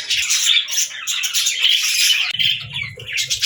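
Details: Budgerigars give harsh squawks and warbling chatter over one another. A low rumbling hum joins in the second half.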